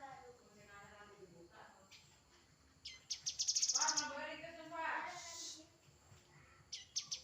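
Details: Grey-headed canary-flycatcher producing a fast, high-pitched trill, then louder lower harmonic warbles and a hissy burst, with another short high trill starting near the end.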